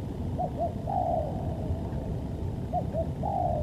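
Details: Spotted dove cooing, a recording used for luring and training birds: two short low coos followed by a longer drawn-out coo, repeated twice, over a dense low rumbling background.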